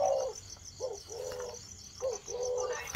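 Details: Spotted dove starting to coo: low, hollow, soft coo phrases, each a short note followed by a longer drawn-out one, repeated about three times, over a steady high pulsing insect chorus.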